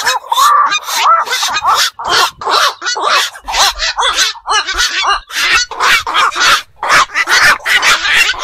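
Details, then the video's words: Calls of black-crowned night herons at night, birds seen around ponds, fish enclosures and wetland beels: a steady chorus of grating, rasping squawks, one short burst after another, with multiple birds calling together. "বাকচু পাখির ডাক. নিশি বক এর ডাক. 4 রাত জাগা পাখির ডাক"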